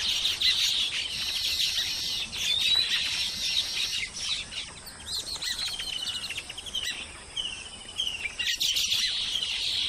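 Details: Many Baya weavers in Sri Lanka chatter together in a dense, high, sizzling chorus of chirps and wheezy trills, nearly nonstop with brief louder bursts.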